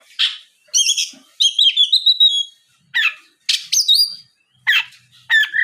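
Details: Oriental magpie-robin song used as a lure to make other magpie-robins answer and sing: loud varied phrases of rich whistles and harsh buzzy notes, separated by short pauses.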